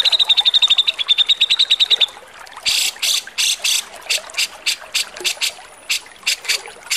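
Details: Harsh song of a Javan grey-cheeked bulbul, a tutor recording for cage birds, opening with a rapid run of sharp ticking notes, then coarse rasping bursts repeated steadily.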